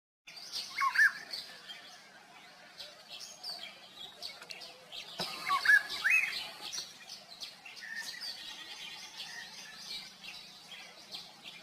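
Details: Golden oriole calling: short fluty whistled notes at mid pitch, one brief phrase near the start and another about five seconds later, set against a busy background of many high, thin chirping birds.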